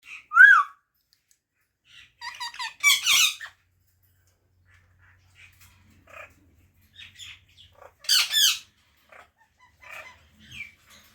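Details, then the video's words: Parrot giving short chirps and squawky notes in scattered bursts, two louder rising-and-falling calls near the start and end, quiet pauses between, a faint low hum in the background. "Natural Parrot Chirping Sounds | Parrot Voice | Tote Ki Awaaz"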